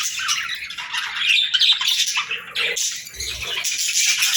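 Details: In the morning a pet parrot chirps and squawks rapidly in uneven bursts, with a faint low thud partway through.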